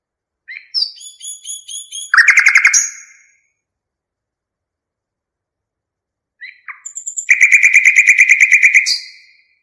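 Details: Nightingale singing two phrases separated by a long silence. Each phrase opens with a few soft notes and builds into a loud, rapid, evenly repeated chattering trill. No other sounds are heard.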